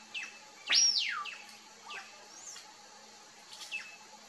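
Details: Bare-faced curassow (Crax fasciolata) in a family group, free in the wild in Brazil, giving thin, high whistles that swoop steeply down: one loud note, then several fainter ones over four seconds, over a faint steady hum.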